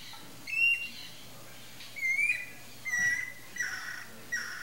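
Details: Red-and-green macaw youngster near fledging, ready to leave the nest, gives five spaced, harmonic-rich calls, some upslurred and whistled, the last ones flat and harsher, repeated roughly every second against a faint low hum.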